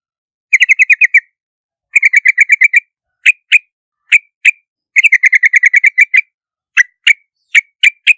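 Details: Yellow-vented bulbul, a common Southeast Asian bird called trao trảo in Vietnam, singing quick runs of bright chirping notes in clusters of six to nine, broken by spaced single sharp calls, clean and with no background noise.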